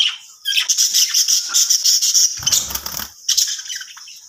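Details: Budgerigars playing in their new home chatter in a fast, high, scratchy stream of chirps and squeaks.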